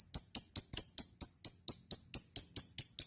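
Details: Lovebird lure recording meant to prompt quiet lovebirds to call: a steady series of short, sharp high chirps, roughly four or five each second, evenly spaced for three seconds.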